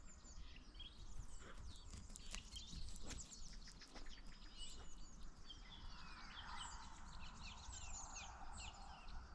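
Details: Song thrush (Turdus philomelos), the first song thrush of the year, heard on 29 February 2024 in a mild late winter, sings short clear phrases each repeated about three times, over steady low wind rumble; finding: Song thrush.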